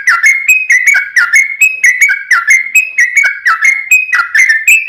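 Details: Sooty-headed bulbul in long rolling song, played as a lure to prompt other bulbuls to answer: a steady run of short whistled phrases, each dipping then stepping up, repeated about twice a second.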